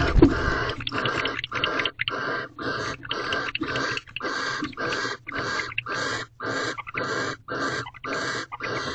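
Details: Barn owls in an owl box in a corral at 7:46 pm on 18 February 2023, the second night of mating, as the male returns with another mouse; harsh, noisy hissing bursts repeat steadily, roughly twice a second, with short gaps.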